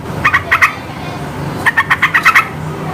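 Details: Yellow-vented bulbul chattering loudly to provoke quiet birds into response. A short trio of notes is followed by a longer run of seven quick, bubbly notes, all against a faint low drone.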